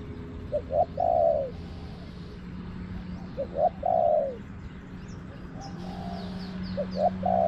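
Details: Wild spotted dove calling back to a decoy during garden trapping. Three repeated phrases, each two quick coos and a longer purring note dropping in pitch. High squeaky notes from small birds and a low hum sit underneath.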